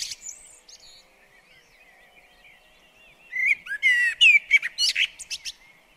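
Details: Blackbird singing in a garden it shares with a bird table: faint distant warbling first, then a loud burst of fluted notes mixed with sharp, rapid high chips and squeaky flourishes.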